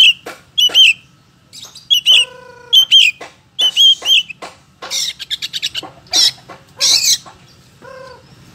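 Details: A caged, pet Oriental magpie-robin sings a lively, varied run of sharp whistles, a quick rattling trill and a few lower nasal notes, delivered in short bursts.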